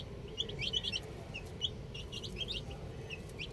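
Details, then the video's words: Young chicks outside give sparse high chirps, clustered early then scattered, over a constant low rumbling background. "Cute Baby Chicks Chirping Sounds"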